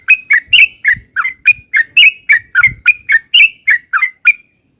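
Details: Fast rolling chatter of a yellow-vented bulbul, a long 'ropel' lure song for drawing answers: about fifteen liquid, slurred whistles in quick succession, with soft low thumps beneath.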